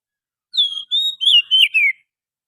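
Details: Oriental magpie-robin from the forest, singing as a lure. After a short pause come five clean whistled phrases: a falling note, a level whistle, then twisting and descending notes, with no other sounds.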